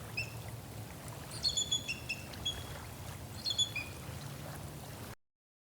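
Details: Bald Eagle in Ohio giving thin, high piping notes in two quick chattering bursts, weak and gull-like for such a big bird, over a low rumbling background.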